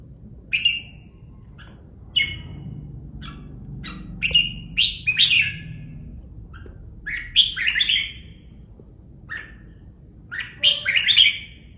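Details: Caged red-whiskered bulbul singing short, bright whistled phrases, some rising and some falling, given in bursts with pauses of a second or two between them. Faint low background hum.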